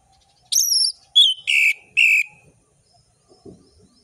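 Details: Orange-headed thrush singing a loud, varied ngeplong-style song: a high whistled note sliding down, then three short buzzy, rasping bursts over about two seconds, with a faint low hum beneath.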